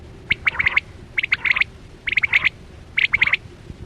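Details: Chora quail (batera) lure call used for net hunting in the 2024-25 season: clipped, bright notes in tight bursts of four to six, each burst about a second apart, over a low steady hum.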